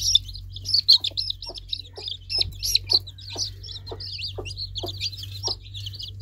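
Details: Cute baby chicks giving loud, piercing peeps in a dense, overlapping chorus, with regular soft thuds below and a faint steady hum.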